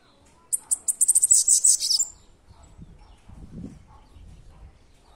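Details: Bananaquit gives one short song: a dozen or so shrill, squeaky notes delivered rapidly and ending in a buzzy, fizzing flourish. It is followed by low, muffled background noise.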